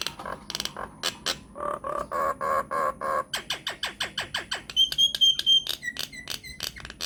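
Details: Lure recording of a singing myna to make others answer: rasping notes repeated about four times a second, speeding into a dry clicking series, then a long thin high whistle and short slurred whistles.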